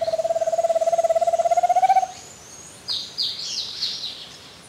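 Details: Giant antpitta (Grallaria gigantea) at Refugio Paz de las Aves, Ecuador, gives a two-second hollow, rapidly pulsed trill rising slightly in pitch, followed by high chirps from other birds.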